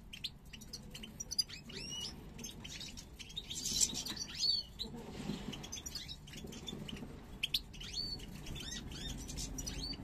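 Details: European goldfinches, a parva pair from 2022 entering breeding condition with snake-shaped head posture. Scattered thin, high chirps and short twitters rise and fall throughout over a constant background hiss and low hum.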